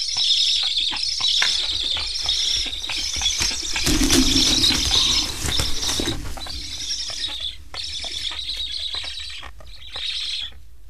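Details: Hungry wild black stork chicks in a nest in Estonia, recently fitted with transmitters, beg while parents return but leave without feeding them. Hoarse, rasping bursts repeat rapidly and run almost continuously, with wing flapping and a louder thumping stretch midway.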